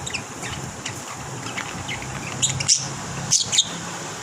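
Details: Lovebirds giving sharp high chirps and short squeaky notes, scattered and then clustered toward the end, over a steady low hum like passing traffic.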